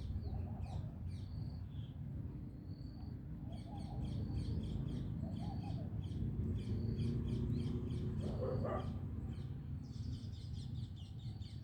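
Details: Early-morning bird chirping as the sun's rays arrive: rapid high chirps in short trains and scattered thin notes, with a brief lower call midway, all over constant low-pitched background hum.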